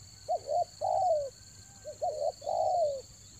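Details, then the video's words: Spotted dove decoy in Toba, rainy season: a crisp double coo and long falling note, then the same pattern again, clear and loud over a faint steady high hum. "TEKUKUR PIKAT RAJA ANGGUK"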